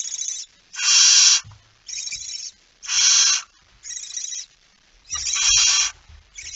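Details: A barn owl with a mouse on 17 September 2019 at 01:49 makes a run of about seven harsh hissing screeches, alternating louder and softer, with faint scuffling thuds.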